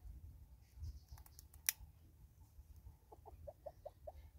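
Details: Southern red-billed hornbill in South Africa giving a short run of about six evenly spaced mid-pitched clucks near the end, after a few sharp clicks and light rustling earlier on, over a low rumbling background.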